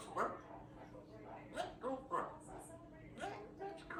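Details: Female African Grey Parrot kept at home, chatty and relaxed, practising her words; speech-like chattering syllables come in uneven bursts, with a few thin high whistly notes between them, in a quiet room.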